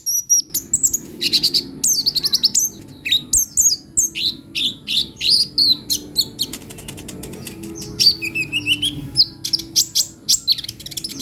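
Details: Sunbird singing busily, as in a gacor bird: dense, rapid high chirps and twittering phrases, some buzzy and slurred, packed almost without pause throughout.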